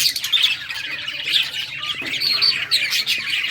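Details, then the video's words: Several budgerigars playing, recorded June 17, 2023; dense, continuous high chirps and squawky chatter overlap throughout, with a few sharper whistled notes standing out. "Budgies playing and chirping"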